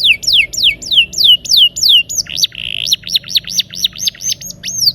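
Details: Rolling canary song played to coax silent canaries into singing: slow, repeated falling whistles, then a brief buzzy stretch, then a run of quick rising-and-falling high notes.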